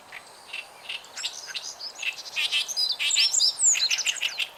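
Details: Meadow Bunting sings quick, high, twittering phrases, mixed with the harsh, grating chatter of an Oriental Reed Warbler singing at the same time, along a river in Japan, 29 June 2013.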